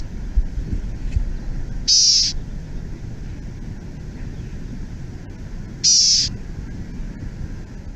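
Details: Black-tailed Gnatcatcher recorded in the desert, giving a steady, repetitive buzzy 'Z' like a sigh: two harsh, high buzzes about four seconds apart over a quiet background hum.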